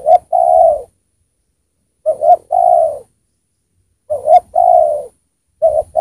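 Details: Decoy spotted dove singing strongly ('gacor') to draw wild spotted doves down: mellow coos in phrases of two short stuttered notes followed by one drawn-out note, phrases recurring roughly every two seconds, background quiet.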